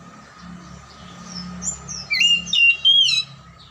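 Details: Oriental magpie-robin song used as a lure to prompt silent or lazy magpie-robins to sing. After a near-quiet start, loud whistled and scratchy phrases come in three quick bursts over the last second and a half. A steady low hum runs underneath.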